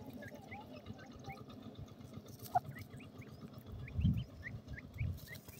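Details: Grey francolin chicks in forest give soft, high, upward-flicking peeps in a loose repeated series, with a steady low rumble underneath and a brief louder knock midway.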